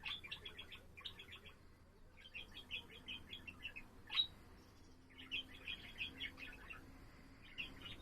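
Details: Pet budgerigar singing indoors, recorded on 7 April: quick bursts of chattering, clicky chirps in short phrases with brief gaps, one sharp bright note standing out near the middle, faint low room hum beneath.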